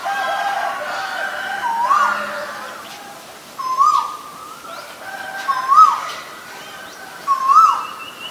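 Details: Male Asian koel calling: a clear rising whistled note, swelling and lifting at the end, repeated four times about every two seconds, with faint rooster crowing and other distant bird sounds behind.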